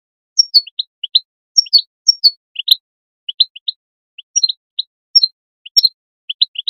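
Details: Goldfinch calls for motivating goldfinches to sing: repeated falling whistled slurs followed by two or three quick chirps each, in an uneven, lively rhythm.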